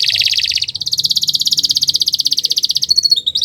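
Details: Canary song for training other birds: a fast, even rolling trill of rapid repeated notes, dropping slightly in pitch after a moment, ending with a few brief sharp chips.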